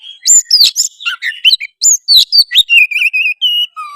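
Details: Oriental magpie-robin singing loudly to provoke another bird into singing, fighting and tail-spreading: a rapid, rich run of high whistles, trills and sharp chirps, ending in steady, repeated warbled notes and a lower whistle.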